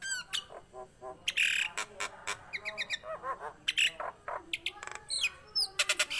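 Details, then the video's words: Vigorous Nias hill myna song meant for stimulating kept mynas: scattered sharp calls, short harsh bursts and rising squeaky whistles in uneven rhythm. "JALAK NIAS GACOR COCOK UNTUK PANCINGAN BURUNG JALAK NIAS ANDA DAN MASTERAN"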